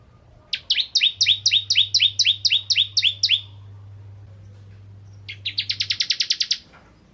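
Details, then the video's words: Bar-winged prinia, 'ciblek kristal' type, singing actively to lure other prinias into song: about eleven loud doubled notes, a pause, then a faster, tighter burst of around ten high chips, with a low hum in between. "Burung Ciblek Kristal Gacor Untuk Pancingan Burung Ciblek Semi Ciblek Gunung Dan Ciblek Kristal"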